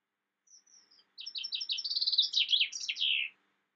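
A chaffinch's bright, three-second song: a few thin high notes, then a fast descending run of chipping notes ending in a sharp flourish.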